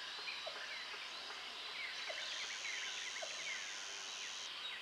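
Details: A blue-winged leafbird sings in its natural wild habitat, a busy run of quick, varied whistled notes and slurs among other birds, over a steady high insect drone that cuts off near the end.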